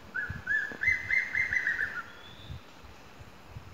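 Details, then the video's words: Ornate hawk-eagle (Spizaetus ornatus) at Arenal, Costa Rica, giving a quick run of about seven clear, high whistled notes that climb slightly and trail off, with low thumps of wind underneath. "Ornate Hawk-Eagle"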